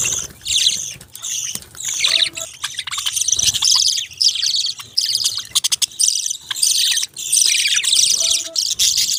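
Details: Budgerigars keeping up steady, high warbling chirps in bursts of one to two seconds, with clicking notes and a few brief lower squeaks.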